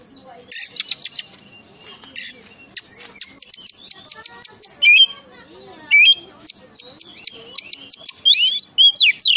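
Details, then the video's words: Oriental magpie-robin song played to provoke other magpie-robins to sing: dense, varied run of clicking, ticking notes and high buzzy bursts, broken by a few short whistled slurs. "pancingan suara kacer"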